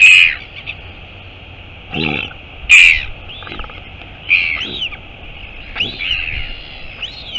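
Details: Royal albatross at a nest in the Taiaroa Head colony near Dunedin, New Zealand, 23 August 2022, as the mother arrives, filmed by a live nest camera; loud arched squealing whistles, about five in seven seconds, over a steady windy hiss.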